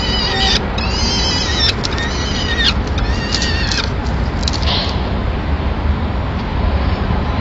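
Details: At a Madrid peregrine falcon nest, 25 April 2016, the female brings in a pigeon and feeds the chicks while the male leaves; a burst of high, strained whistled calls fills the first five seconds, then only a low, constant rumble.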